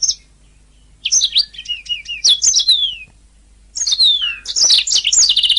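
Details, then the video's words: Training master recording of a canary singing: varied high chirps and descending whistled slurs, a pause, then a dense rush of sharp notes ending in a fast rolling trill. "Ocehan Burung Kenari"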